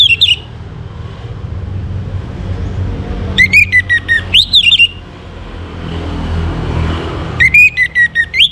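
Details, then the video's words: Morning Orange-headed thrush song, played to bring birds into breeding condition: three separate bursts of pulsed whistling, each starting with a sharp rise and then falling, with low background rumble in between. "Naikan Birahi ANIS MERAH pancingan PAGI HARI"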